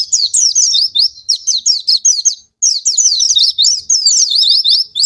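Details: Oriental white-eye song played as a lure to rouse lazy or silent white-eyes to sing: rapid high twittering of thin, sliding notes, run together in dense bursts, with one short pause midway.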